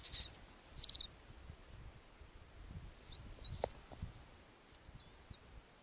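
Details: Young snowy owls in an Arctic nest on a summer night, as the female brings a lemming. Several short, high, squeaky screeches and thin whistled notes of varying length, bunched at the start and middle, over soft low rustling.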